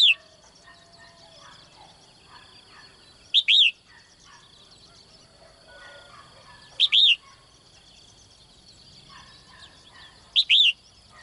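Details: Three loud chirped phrases, roughly one every three and a half seconds, from a caged female bird calling in the morning for a strong male; quiet twittering and a constant high whine fill the gaps.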